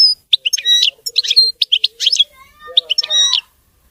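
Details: Liquid, twittering goldfinch song, said to be clean and faultless: dense runs of quick chirps and trills with a faint lower droning tone beneath the phrases.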